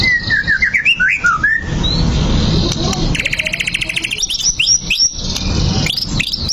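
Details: Singing white-rumped shama, used to goad a bird into fighting: a rapid run of looping whistled notes, a brief dry rattling trill, then high sweet whistles and upslurred notes, with steady low noise beneath.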